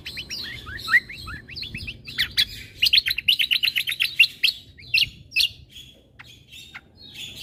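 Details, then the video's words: Yellow-vented bulbul song: a dense, lively stream of rapid chirps and short slurred notes in quick bursts, several notes each second, fading into scattered chips toward the end. "Masteran Cucak Kombo"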